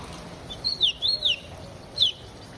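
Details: A tame ultramarine grosbeak sings while perched on a hand during rain in João Pessoa, Brazil. It gives a quick run of four sweet whistles that slide up and down, then a single falling note, over soft rain noise.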